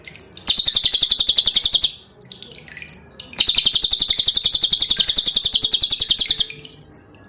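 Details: Two strong bursts of rapid, high-pitched chattering notes by a pin-striped tit-babbler, the second longer, with dripping water in quiet gaps; a song for training cage birds.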